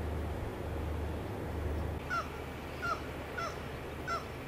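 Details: Black-legged kittiwake in wild coastal Norway, Møre and Romsdal, mid-May: a low rumble fills the first two seconds, then four short, nasal, downward-slurred calls follow at intervals of under a second.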